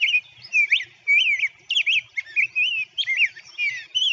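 Rose-breasted Grosbeak singing a sweet, rolling warble of rising and falling whistled phrases, robin-like but smoother and slightly higher, in quick bursts.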